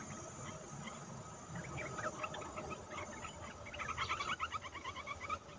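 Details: Olive-winged bulbul lure calls used for trapping: a run of short, quick notes repeated in rapid series, growing louder near the end, over a constant high buzzing of insects.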